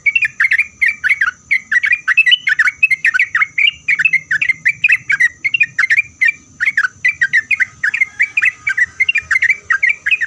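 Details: Sooty-headed bulbul in full song, used to make other bulbuls answer: a fast, unbroken run of bubbly, fluty whistled notes, each slurring up or down, with a faint steady high whine behind.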